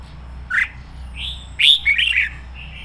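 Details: A decoy red-whiskered bulbul, used to train other bulbuls to sing, sings short, bright, fired-up warbled phrases, a quick note then a rolling burst of rich whistles, over a faint low hum.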